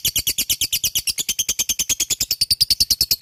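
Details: Fighter lovebird in full ngekek: a sustained, rapid run of harsh, high chattering notes, about nine per second, steady and unbroken throughout.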